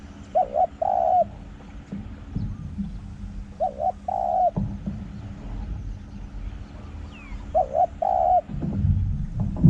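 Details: Spotted dove at a forest edge, recorded while luring wild doves with a decoy. It coos in a small-voiced, ringing 'hong' style: three mellow two-part cooing phrases about every 3.5 seconds, over a steady low hum and faint rustling.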